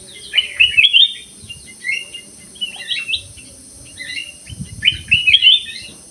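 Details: Black-crested bulbul in an aviary delivering repeated short, liquid warbling phrases roughly every second, bright and fluty, with a constant high background hiss and a few low knocks.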